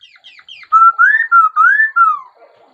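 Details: Laughingthrush song: a few soft descending notes, then loud clear whistled phrases, alternately level and rising, ending in a falling slur.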